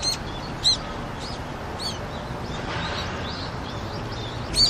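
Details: Several brown-eared bulbuls drinking on a rooftop in Seoul in winter, February 2020, when water elsewhere was frozen; scattered piercing high chirps against a faint city drone.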